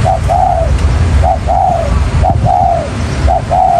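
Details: Spotted dove lure recording sold for catching wild doves in any terrain: a repeated cooing phrase, a short note followed by a longer drawn-out coo, recurring about once a second over steady low rumbling noise.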